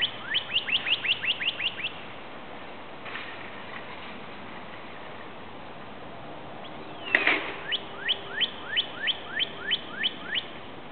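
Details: A bright northern cardinal, watched in woods by a lake in the morning, gives two fast runs of clear, down-slurred whistles, about four or five a second, with a pause between them and a brief sharp click before the second run.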